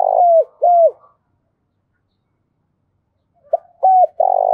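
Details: Spotted dove decoy giving urging and calling coos, used to provoke wild doves to respond quickly; loud, hollow, slightly descending coo notes in two pairs separated by a long silence, the last notes blurred and strained.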